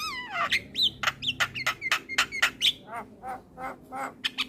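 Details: Male Javan myna calling to companions, used as a lure for trapping mynas: rapid harsh rasping notes, about four per second, mixed with whistled downslurs and upswept squeaks; faint low hum underneath.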